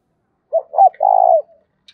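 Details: Spotted dove decoy bird for luring wild doves, one giọng thổ phrase: two short rising-falling notes, then a sustained low coo of about half a second trailing off.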